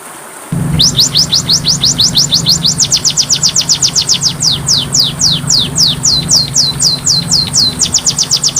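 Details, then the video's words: Oriental magpie-robin (kacer) masteran song: after half a second of quiet, a long string of high falling whistles begins, dense at first and then more spaced, steady in pitch, with a low droning hum beneath. "MASTERAN KACER PALING DI CARI, masteran Kacer suara burung kecil yang sedang tren di tahun ini"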